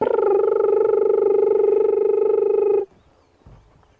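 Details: A crested barbet calls behind a safari vehicle at sunrise on 27 August 2015, an overcast morning near spring. It gives a long, even, buzzing trill like a muffled alarm clock, held almost three seconds before stopping abruptly.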